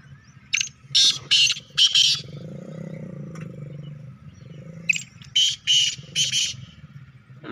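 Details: Young black francolin about four months old, said to call by day and night, giving two harsh, grating phrases of three to four loud buzzy notes each, three seconds apart, over a low hum and faint background voices.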